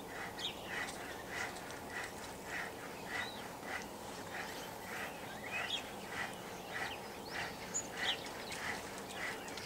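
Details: Common starlings flocking in a tree give harsh, rasping calls, repeated about every half second, with brief rising and falling whistles over a steady low rumble of background noise.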